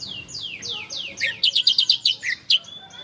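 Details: Bar-winged prinia (ciblek Koya) singing, recorded as master material for cage-bird training: several high notes sweeping downward in sequence, followed by a fast string of loud, clipped chirps.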